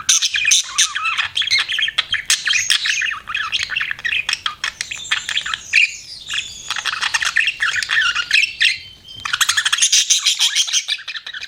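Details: A long stretch of busy budgie chattering. Dense scratchy warbles, clicks and high chirps pour out steadily with only a brief dip in the middle.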